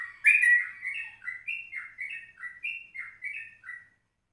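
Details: Yellow-vented bulbul in a 04:30 morning recording, used as a lure and for tutoring the ropelan style. It gives a continuous run of quick, bubbly, up-and-down warbled notes with a loud opening, then fades out cleanly.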